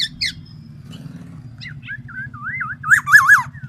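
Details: A black-naped oriole calls in its distinctive way: a couple of faint short notes, then loud wavering, looping whistles that grow stronger toward the end, over a low droning hum.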